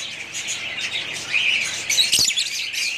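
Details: A family of pet budgerigars chirping and warbling together, quick high notes tumbling over each other, broken by a brief knocking click around two seconds.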